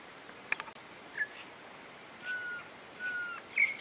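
A campo troupial gives soft, level whistled notes, two drawn-out tones held about half a second each, among faint chirps over quiet background hiss.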